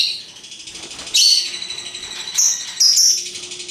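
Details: Colourful lovebirds chattering in ngekek style: rapid, high, buzzy trilling throughout, with three louder shrill squeaks on top.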